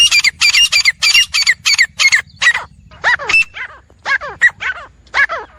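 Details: Wild teetar, grey francolin, calling as one of four birds: a quick run of harsh squawks, then slower, separated notes with curving, descending, more nasal tones.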